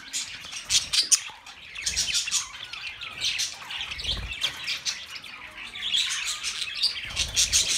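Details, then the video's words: Steady budgerigar chattering, a running mix of fast high chirps, squeaks and occasional whistles, with small dips between bursts. "Budgie Sounds for lonely Birds"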